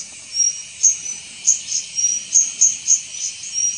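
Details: White-gorgeted Flycatcher of subspecies leucops at Doi Ang Khang, Thailand, 24 March 2017, giving thin high whistles mixed with clipped sharp notes about every quarter second against a constant high background hiss.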